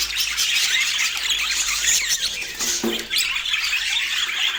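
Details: Budgerigars in lively chorus: overlapping high chirps, squeaky warbling and short raspy squawks run on without a break, a soft thud near the middle the only other sound.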